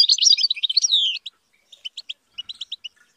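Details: European goldfinch under training to sing high: a quick twittering run ending in a drawn-out descending note, followed by evenly spaced short chirps.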